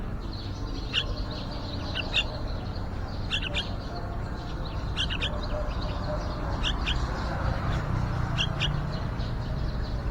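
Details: Yellow-vented bulbuls nesting just outside a window, parents and young nearly ready to fly; short high chirps come in clusters of two or three, roughly every second or so, above a constant low background hum.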